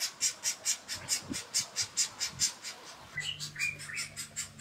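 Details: Golden-tailed woodpeckers at a nest in a fishtail palm as the male and female feed their young: a fast run of rhythmic, hissy, high-pitched pulses, about two per second, with a low steady hum joining near the end.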